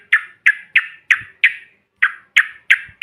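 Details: Yellow-vented bulbul giving a bahan or ombyokan call used to provoke other birds: eight harsh, scratchy chips repeated about three times a second, with a short gap midway.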